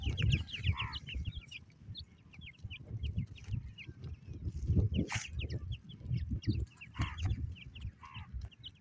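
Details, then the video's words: Partridge chicks, Iranian teetar, calling their mother: steady, busy stream of thin downward-slurred peeps repeated several times a second, with occasional lower curved notes and soft rustling throughout. "pritridge bird chicks calling his mother"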